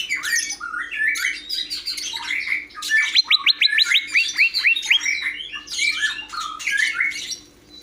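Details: Greater green leafbird, known locally as cucak hijau, singing a varied medley of whistles and chattering notes, with a fast run of about a dozen sharp, upslurred notes in the middle and a faint steady hum underneath.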